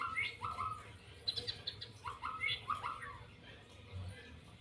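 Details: Trotol-style singing from a white-rumped shama, with quick bright whistles in stepped, upslurred phrases repeated irregularly, fading toward the end above a constant low background hum.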